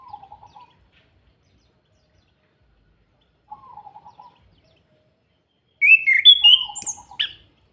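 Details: Orange-headed thrush, Salatiga, Indonesia, in a kretekan lure meant to stir rival birds to sing: three short low warbled trills spaced several seconds apart, followed by a burst of loud, high, buzzy squeaky notes.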